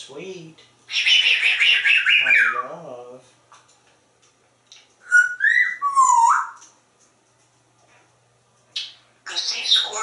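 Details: Pet African grey parrot kept indoors in a home in Texas, imitating other animals: a noisy buzzy burst sliding downward, then a pause, then clear whistled notes bending up and down, ending with a harsh raspy burst.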